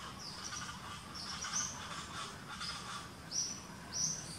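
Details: Coppery-chested jacamar with a fractured beak calling: thin, high whistled notes, each slightly rising then level, repeated irregularly about every second, over a dense hiss of forest background noise.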